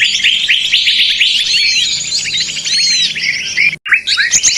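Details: Noisy small-bird chatter used as a trapping lure: dense overlapping high chirps, twitters and upslurred whistles from several birds, briefly cut to silence near the end before resuming.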